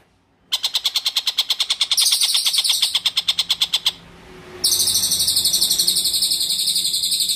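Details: Long-tailed shrike singing lively for use as a tutor recording for white-rumped shamas: a quick series of rasping pulses gives way to shrill, high buzzy trills, a short pause, then a continuous piercing buzzing trill to the end.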